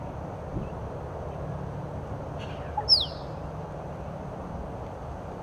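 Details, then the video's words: Male Musk Duck (Biziura lobata) displaying to a female in the late afternoon at Lake Monger near Perth, Western Australia, tail spread and throat sac inflated: one brief, sharp, steeply downward-sliding whistle over a steady low rumble. "a male Musk Duck displaying to a female"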